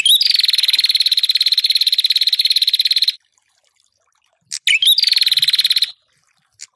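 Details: Ashy tailorbird singing to provoke rivals: one long rapid pulsed trill of about three seconds after a quick rising lead-in, a pause, then a second shorter trill, with a few brief chips scattered between.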